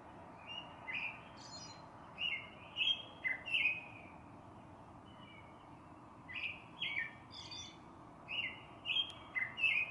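A northern cardinal sings two bright phrases of loud, slurred whistles, each a quick series of about five notes, over a soft steady background hiss.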